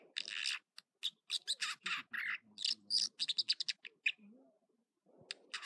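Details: American dipper (water ouzel) singing in the morning at Echo Lake in California's Trinity Alps. Rapid bursts of high, buzzy and chattering notes come in quick irregular runs, with short pauses between phrases.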